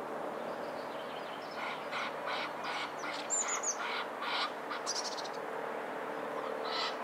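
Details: Egyptian goose pair courting on a pond beneath a stork nest at Hervester Bruch, Dorsten: a rapid series of harsh, broad honking pulses, several per second, over a steady low mechanical hum, with brief high songbird chirps.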